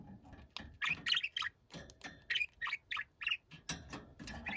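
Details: Noisy pet budgerigar giving a busy, scratchy chatter of quick chirps and rasping squawks, uneven and several notes per second, with some soft low background noise.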